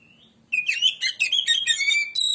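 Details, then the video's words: White-rumped shama (kacer) lure song: a thin lead-in whistle, then a dense, varied phrase of sweet whistles mixed with harsh chattering notes, delivered quickly without pause. "burung Kacer pancingan suara"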